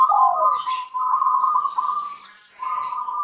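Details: Zebra dove, local strain, singing to get other doves calling: a steady purring trill with one low coo sliding downward near the start, a short gap, then the trill resumes.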